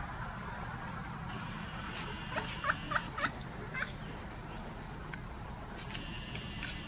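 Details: Foraging pileated woodpecker at Alpine Groves Park in St Johns County, Florida, knocking bark away to reach food: a quick cluster of sharp knocks mid-clip, then a few more near the end, against low background noise.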